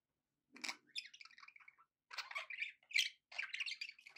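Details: Cheerful budgie chatter in a home: after a short silence, rasping warbled phrases and chirps come in uneven bursts with a few bright squeaks.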